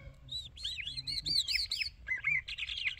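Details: Irani Jal bird in song: a string of clear, looping whistled notes rising and falling, followed by quicker chirpy trills, fairly loud over a soft low hum.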